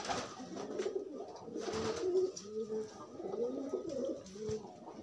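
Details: Free-moving pigeons courting and forming a pair: overlapping low, bubbling coos roll on almost without pause, several curved notes per second, over a steady background hiss.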